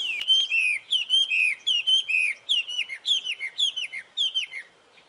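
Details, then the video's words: Wild wambi bird singing actively, giving a series of about eight clear, ringing whistled phrases, each a sharp upward note dropping into a falling slur, repeated roughly every half second without pause. "Burung wambi liar gacor"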